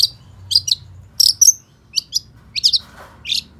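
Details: Long-tailed shrike song of quick, high, scratchy chirps and doubled notes in tight groups, delivered in rapid succession; a faint low rustle between phrases.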